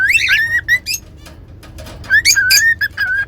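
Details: Pet cockatiels whistling and singing, played as training to teach whistling; clear tonal whistles near one pitch with rising and falling slurs in two bursts separated by a quiet gap, with faint low hum.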